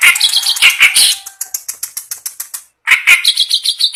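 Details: Clamorous reed warbler kept as a songbird, singing vigorously day and night: loud raspy chattering, a thin whistle, a trail of evenly spaced dry ticks, then renewed harsh, rattling notes.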